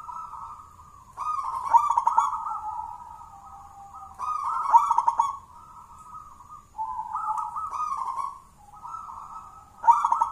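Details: Wild local zebra dove of the jolotundo type, its deep, thick song used as a lure: soft rolling coos near one pitch in drawn-out phrases, about four bursts across ten seconds, with faint clicking overtones and low background hum.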